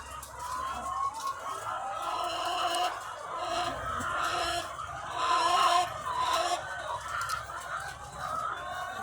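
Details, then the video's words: Farm flock of thousands of laying hens. A thick chorus of clucking and harsh, rising squawks overlaps throughout, swelling louder around the middle before easing slightly. "The Sound of Thousands of Egg-Laying Chickens"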